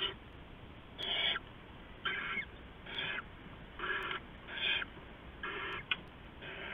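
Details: Owl nest in the dark hours of 15 November 2015, an adult bringing rats to the young; seven steady raspy hissing bursts, roughly one per second, of similar length.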